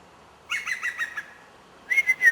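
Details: A shy European green woodpecker hidden in leafy branches of a French garden answers a man imitating its call, giving a quick run of about six ringing, evenly pitched notes, then a pause and a single slurred, falling whistle.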